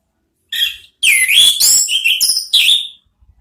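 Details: Ngeriwik-style song of an orange-headed thrush, meant to prompt ngeplong calls: a short high note, then a run of loud slurred whistles that dip and rise, with a few tight, chattering notes near the end.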